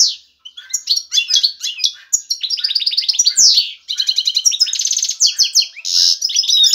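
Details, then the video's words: Male European goldfinch in excited courtship song, calling a female to pair and build a nest; a loud, continuous rush of twittering, rapid tinkling trills and buzzy runs, almost without pause. "ذكر الحسون جاهز, يبحث على الانثى للتزاوج"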